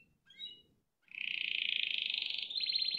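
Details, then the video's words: A Spanish Timbrado canary sings: a few short high chirps, then a long, fast, metallic rolling trill that jumps to a higher, more clipped trill near the end. "كناري تمبرادو اسبانيول يغرد canario timbrado español original cantando"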